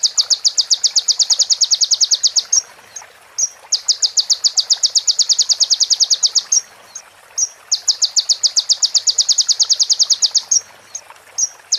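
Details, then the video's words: Sunbird song from a tutoring recording meant for training caged birds, mixed with female prinia and ciblek phrases: long, rapid high buzzy trills of evenly spaced notes lasting about two seconds, separated by brief sharp chips and short pauses. "MASTERAN KONIN FULL ISIAN PRENJAK BETINA SAMBUNG CIBLEK BREN JERNIH JEDA ORIGINAL DARI SUARA KONIN !"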